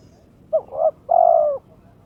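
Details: Single challenge phrase from a kept spotted dove (terkukur) in breeding condition, aimed at an opponent: two short throaty notes followed by a drawn-out, steady coo.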